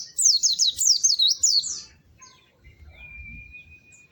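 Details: White-eye delivering a quick series of high, looping whistled notes that rise and fall, followed by quiet and a thin, steady, high whistle with faint low rumble behind.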